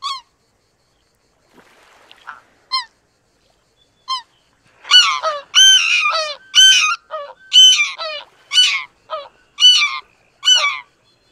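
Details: Greater white-fronted goose honking: a few thin, distant single calls, then loud, rising, squeaky two-part honks repeated about once a second by one or more birds close by.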